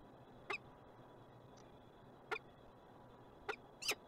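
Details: Peregrine falcon in Montreal, Canada: four short, harsh, sharp notes spaced irregularly about one to one and a half seconds apart, each a quick clipped burst, over steady low city hum.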